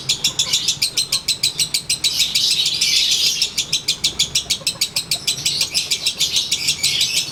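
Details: Konslet lovebird set out to sunbathe, performing its daily ngekek: an unbroken, fast, regular chatter of sharp high notes, about three each second, for the whole stretch, with little else audible.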